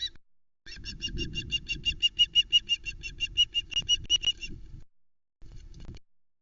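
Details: Loch Arkaig nest camera, 1 September 2020: a female osprey calls while her mate delivers a live flatfish. Close, loud and steady, the piercing chirps run in a long, even series of roughly three notes a second, with faint rustling below.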